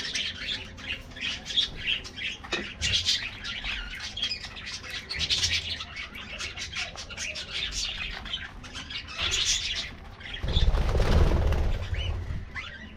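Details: Colorful budgies in an aviary colony at morning treat time keep up rapid, high chirps and chatter, then a loud rushing noise near the end masks the birds.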